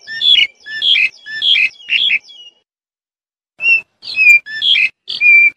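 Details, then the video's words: Black-collared starling giving four loud rasping whistled notes in quick succession, a silence of about a second, then four more harsh squeaky calls. "សម្លេងសត្វក្រលីងក្រលោង ច្បាស់ល្អ (15នាទី) / Good of sound of black-collared starling (15 minutes)"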